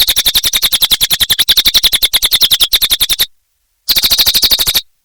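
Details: Cililin in full song, a quick, shrill, buzzy chatter of closely spaced notes that cuts off abruptly, pauses in silence, then returns for a short final burst.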